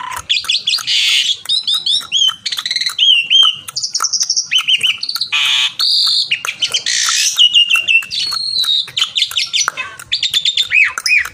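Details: Javan pied starling (jalak suren) in full, lively song while calling a rival: a rapid varied medley of whistled slurs, rising and falling notes, harsh buzzy bursts and quick chattering trills, loud and continuous throughout.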